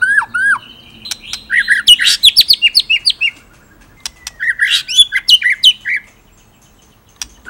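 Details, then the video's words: Indonesian murai batu (white-rumped shama) delivering ngerol-nembak song: hooked whistles open into two phrases of rapid, jumbled chirps, clicks and sharp high notes, separated by a short pause. "Masteran Murai Gacor !! Materi Komplit Ngerol Nembak | Shama Bird Song"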